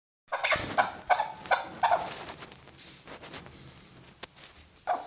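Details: A female chukar partridge, used as a hunting call, gives a run of harsh, clucking chuk notes, about three a second, that fade out before one last note.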